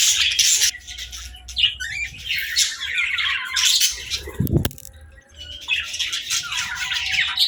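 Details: Baby budgerigars chattering, bursts of high scratchy warbling separated by short pauses, with a sharp low thump in the middle.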